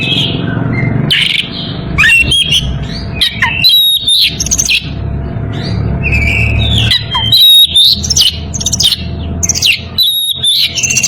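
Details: In breeding condition, an Oriental magpie-robin calls a rival with repeated bursts of rich whistles and rasping, crackly notes, separated by short pauses, against a faint low hum.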